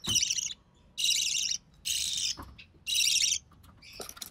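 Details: Recessive pied budgerigar chick born early June 2020, sole surviving nestling, during its mother's feeding: four drawn-out, grating rasps, each about half a second, separated by short gaps with light background noise.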